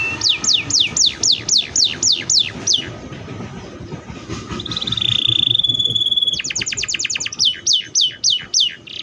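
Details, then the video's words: Canary singing rapid series of high downward-sweeping notes, about four per second, breaking into a sustained buzzy whistle before the fast repeated sweeps return; faint low background rumble. "THE VOICE OF THE CANARIA SERINUS"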